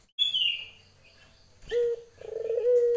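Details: After a high, falling chirp from another bird, a female Barbary dove calling for a male gives a short note and then a long, low, purring coo.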